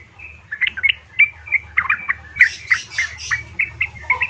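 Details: Female yellow-vented bulbul summoning a male, played to rouse caged birds: busy, tumbling chatter of short warbled notes that grows fuller midway, with a low background hum.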